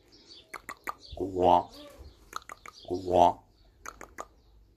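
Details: Chatty pet raven indoors in the morning, mixing gwahs and bubbling calls, a sound its owner calls new: two deep, rich croaking gwahs about two seconds apart, with sharp clicks and knocks scattered between them.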